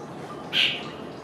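A jungle babbler gives a single harsh, squeaky note lasting about a quarter second, set against a steady background hiss.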